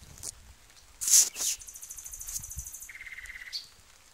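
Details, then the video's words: Nightingale singing: a loud, harsh burst of notes, then a dry, buzzy high rattle lasting over a second, followed by a lower, rapid, even trill and a final short high note, over quiet background. "Nightingale's sound & song"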